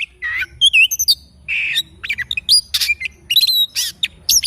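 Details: Oriental magpie-robin singing in the morning with loud, varied notes: a harsh buzzy rasp, ringing looped whistles and quick chirps alternating in short emphatic phrases.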